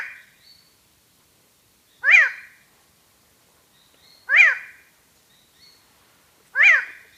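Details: Hooded Tinamou song, a nasal, slightly down-slurred 'oh' note repeated about every two seconds, three times, against a quiet background; a shy, solitary ground bird of montane forest at higher elevations, heard far more often than seen.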